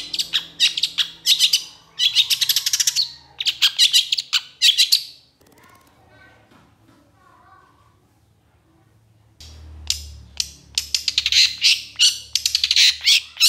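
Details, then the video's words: Long-tailed shrike singing the agitated long-burst style used to train other shrikes: dense bursts of fast, harsh high chatter, interrupted by a quiet stretch of several seconds before the chattering resumes strongly. "SUARA PENTET GACOR EMOSI TEMBAKAN PANJANG"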